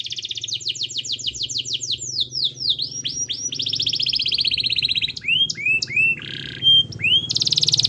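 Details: Vigorous 'gacor' canary song, played to coax a lazy canary into singing: a fast run of downslurred notes, looping sweeps, a long buzzy trill, then rising chirps and a harsh buzzy burst, over a faint low hum.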